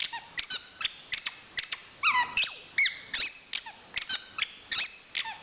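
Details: Song of a champion Chestnut-capped thrush: quick chirps repeated about three per second, broken by a mid-song cluster of slurred whistles and a long drawn high whistle.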